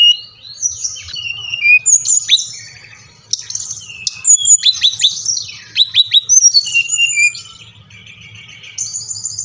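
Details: Brown-chested jungle flycatcher song played to coax captive birds into singing: a long varied medley of high whistles, downslurred notes, quick repeated sharp chips and buzzy phrases, ending in a high trilled series.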